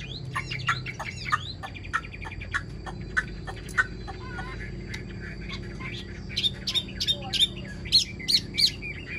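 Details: A caged Chinese hwamei with green plumage, described as a good singer, sings a varied run of clear whistles, quick chirps and trills, mid to high pitched, with brief pauses between phrases.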